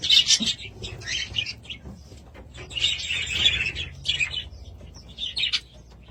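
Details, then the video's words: Budgies giving bursts of scratchy, high warbling chatter in short phrases separated by brief pauses, with a faint low rumble underneath. "Budgies sound"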